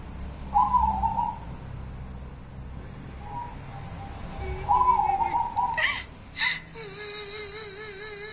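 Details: Local wild zebra dove singing, its song called kuntilanak: drawn-out, clear mid-pitched coos with a slight wavering, separated by quiet gaps, then sharp clicking bursts and a long wavy trilled tone to close; faint background hiss.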